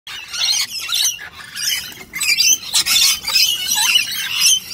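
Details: Rainbow lorikeets feeding together on nectar from a bowl, giving harsh, screechy squawks in irregular bursts, overlapping and chattering throughout.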